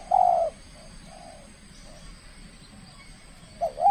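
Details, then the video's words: Contest spotted dove from Kepri, Indonesia, at its first bout, giving a long, steady coo. A fainter distant cooing follows, then a new rising, hooked note begins near the end. "TEKUKUR SI BINTANG PERDANA LAGA LANSUNG KELUARKAN SKIL NYA"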